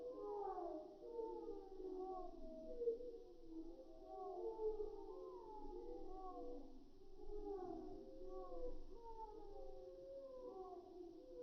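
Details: Calls of seagulls in flight, slowed far down, become deep, eerie wailing glides, several birds overlapping in long rising and falling moans throughout, with a low rumble beneath.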